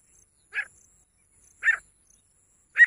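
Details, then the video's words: Three separate, rough, mid-pitched notes from a female grey francolin, about a second apart. The last is the loudest. Otherwise quiet. "Best female teetar ki awaaz grey francolin voice"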